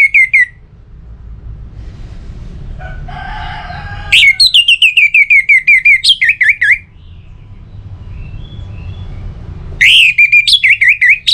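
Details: Orange-headed thrush in varied ngeplong song as a lure for other birds: rapid bright whistled runs, a burst of softer scratchy twittering, then more loud, fast sequences of shrill repeated notes.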